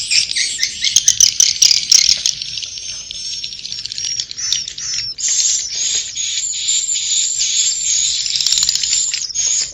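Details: Swiftlet roosting sound, Inap Ababil: crackling clicks over high buzzing chatter at first, then a long, smooth, steady high buzz of many twittering voices.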